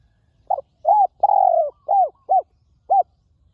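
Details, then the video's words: Wild spotted dove, described as a forest bird with a fine, very resonant voice, recorded at a ground decoy site: six clean mid-pitched coos, short arched notes around one longer drawn-out coo, with near-silent background. "นกเขาใหญ่ต่อดิน [เจ้าสามส้มหยุด] EP11 นกป่าคารมเสียงดี กังวานมาก"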